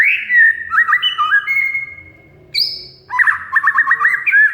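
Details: Oriental magpie-robin (kacer) song used as a lure to stir a silent bird into singing: clear whistled notes near mid pitch, a steady held whistle, a brief high note, then a fast run of repeated chirping trills; faint low hum beneath.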